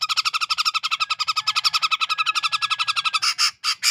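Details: Grey-cheeked bulbul from Medan, Sumatra, forest stock, giving a gacor ngepik chatter as a training recording: a steady machine-gun stream of buzzy, grating notes, several per second, ending in a few louder, broader rasps.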